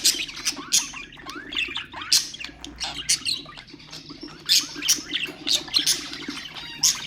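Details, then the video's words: Budgerigar chatter used to stimulate other birds: dense, rapid warbling of squeaky chirps and short rising and falling whistles, with sharp bursts every half second or so. Several birds seem to be calling together. "اقوى أصوات طيور البادجي طيور الزينة أصوات تحفيز الطيور"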